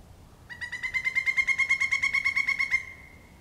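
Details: A male Pileated Woodpecker calling near a utility pole at Beech Hill Preserve, Rockport, Maine, on the morning of 4 April 2014: a loud, ringing series of about twenty quick, even notes, roughly nine per second, lasting two seconds; no drumming is heard.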